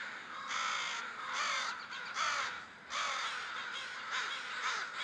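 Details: A large crow gathering before roosting, harsh caws arriving in distinct loud bursts roughly every half second to second, with a lower chorus of other crows between them.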